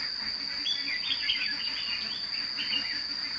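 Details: Lure red-whiskered bulbul calling wild birds during trapping at Thanh Liem, 29 May 2016. It gives busy, tumbling warbled phrases against a constant high-pitched insect whine.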